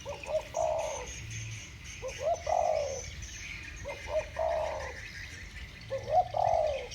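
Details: Two spotted doves in 'thổ bầu' voice style calling against each other: four deep cooing phrases, each a pair of short lead notes and then a longer, slightly falling coo, spaced about two seconds apart, over a low hum and faint high chirping.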